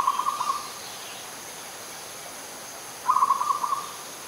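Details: Adult Zebra dove in Ubon Ratchathani, Thailand, 21 September 2022. Two bursts of quick, pulsed cooing about three seconds apart, with a steady hiss in between.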